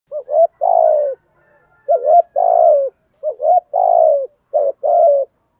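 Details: Spotted dove in the deep 'giọng thổ' cooing style, used to stir other doves into cooing quickly: three low phrases, each a short double note then a long drawn coo that falls at the end, about every two seconds.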